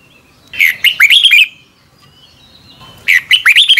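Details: Morning song of a red-whiskered bulbul, double-twist voice style, recorded to train other birds: two rapid warbled phrases of rich, down-slurred whistles about two and a half seconds apart, with quiet thin tones between.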